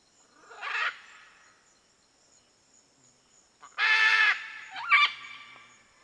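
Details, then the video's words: Red-and-green (green-winged) macaw (Ara chloropterus) giving harsh, raucous squawks: one near the start, then a longer grating screech and a shorter squawk about three seconds later. "O Canto da Arara vermelha (Ara chloropterus) - Red-and-green Macaw"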